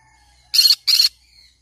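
A green-cheeked conure gives two harsh, broad squawks in quick succession, each about half a second long, high-pitched and raspy, over a quiet background.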